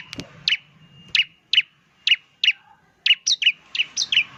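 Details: Bar-winged prinia in full semi-style song, said to provoke other prinias into calling: crisp chirps about every half second, speeding into quick double notes near the end, after a short knock at the start.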